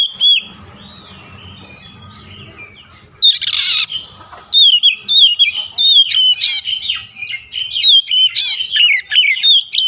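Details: Oriental magpie-robin song used as a lure to set off a rival: after a quiet, low-humming start, loud, varied whistled phrases with sharp chirps run quickly one after another, broken by a short harsh noisy burst.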